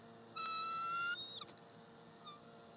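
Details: Eagle at its nest on the Berry College campus on 12 January 2020, the female eating a chipmunk brought by the male, who later adds a stick and incubates the egg; one long, steady whistled note, then a few short sharp notes.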